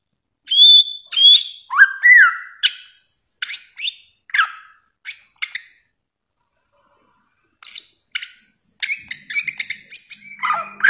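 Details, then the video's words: Bare-throated whistler delivering clear whistles and swooping slurs in quick phrases, a short silence, then a dense rush of sharp high notes and a low buzz near the end. "masteran samyong 1001 suara durasi panjang"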